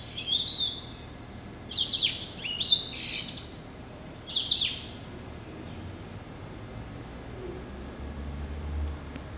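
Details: Hybrid finch bred from a yellow-eyed canary and a timbrado, hatched November 2012 and kept as a pet, delivering high rapid trills and down-slurred notes for about four seconds before falling quiet.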